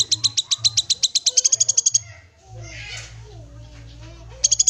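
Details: Untrained black-capped babbler calling: a fast run of loud, high, ringing notes, about four per second, pausing midway for rustling and a low hum before resuming.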